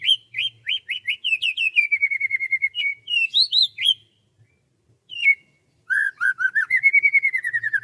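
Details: Morning birdsong over rice fields, a loud bird running quick rising whistled notes into a rapid even trill, a short pause, then another trill of rapid repeated notes.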